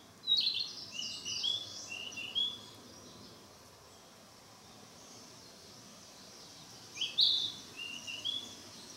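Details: Practising Narcissus flycatcher in mountain forest: a few high scratchy whistled notes at the start, several seconds of quiet hiss, then another short burst of thin whistles near the end.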